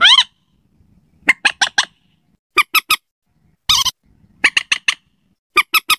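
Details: Slaty-breasted rail lure recording, meant for night use. Short, sharp, high kek notes come in quick clusters of three or four, with brief rasping bursts at the start and in the middle.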